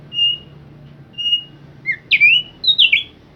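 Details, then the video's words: Thick-billed white-eye singing persistently and vigorously: two thin, level whistled notes, then quick slurred chirps that sweep up and down at high pitch in a lively burst, over a faint low hum. "Burung opyor paruh tebal gacor ngotot"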